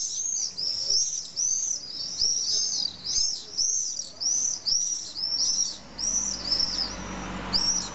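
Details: Common swifts at a nesting colony in the drainage holes of a retaining wall in Nice, France, on 15 July in the evening, parents roosting in the cavities; repeated shrill arching screams about twice per second.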